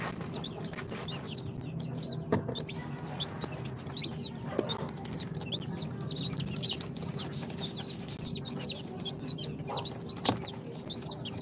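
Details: Incubator-hatched chicks on day two, a mix of Sultan, Golden Sebright, Cochin and booted breeds, chirp nonstop with rapid high falling peeps that grow denser toward the end, plus occasional knocks and a low hum.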